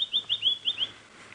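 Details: A White-browed Scrub Robin, a mimic, sits openly and calls prominently on a sunset safari drive in South African bush on 26 November 2016. It gives five quick, high, upslurred whistled notes in under a second, then falls silent over a faint low hum.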